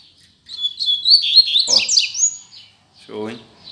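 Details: Double-collared seedeater kept in a cage, singing as a learning model for young birds: a rapid run of high, clear whistled notes sliding into buzzy downslurred trills, followed by a man talking briefly.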